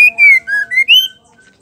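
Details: Female white-rumped shama call meant to spur males to sing, a brief run of four clear whistled notes, falling then rising, ending with a faint trailing whistle over a steady low hum.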